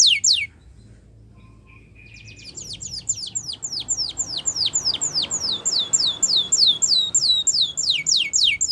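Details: Spanish Timbrado canary training song: a few falling whistles, a faint steady buzz, then a long run of quick downward-swept notes repeated about three times a second.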